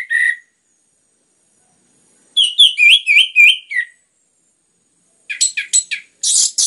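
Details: Orange-headed thrush, used to encourage other birds to sing, gives a short whistle, then a rolling series of whistled notes, then harsh, buzzy high chattering bursts.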